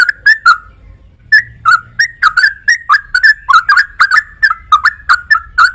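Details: Yellow-vented bulbul song: a lively run of short, mellow whistled notes around the middle range, sliding up and down in quick bubbly phrases, with a brief pause after the opening notes and faint low rumble beneath.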